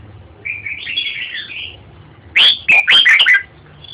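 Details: Red-whiskered bulbul: a soft, slurred whistled phrase, then a loud, emphatic burst of bubbling, warbled notes.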